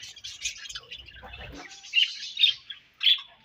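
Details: Budgerigar chatter from the breeding season: a soft buzzy warble, then three bright, loud chirps rising sharply near the end, with faint rustling low down.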